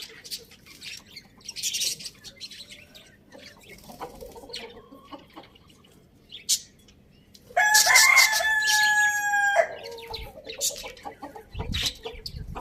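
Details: Rooster on a farm in a village crowing: after several seconds of quiet scratching and rustling, one loud, drawn-out harmonic cock-a-doodle-doo lasting about two seconds, then softer clucks and background noise.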